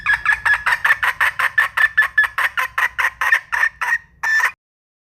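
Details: Red junglefowl hen giving a fast series of harsh, clipped clucks, roughly two to three per second, for about four seconds before a final longer note.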